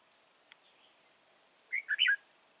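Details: Red-whiskered bulbul serving as a decoy for trapping in Vietnam, recorded 31 March 2018: after a faint click, one short phrase of three or four quick, liquid warbled notes.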